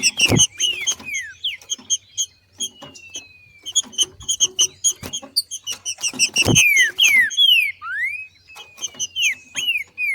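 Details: Female Green-winged Saltator in nature, singing male-like ('macheando') to stimulate other saltators to sing: clear descending whistled slurs near the middle and end, over dense rapid high chips and ticks, with sharp knocks.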